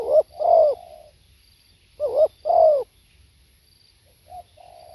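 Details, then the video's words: Live spotted dove song: a quick wavering coo followed by a drawn-out descending coo that trails off softly, given twice, then a faint short note and a low murmured tail. "เสียงนกเขาใหญ่ สด | suara tekukur"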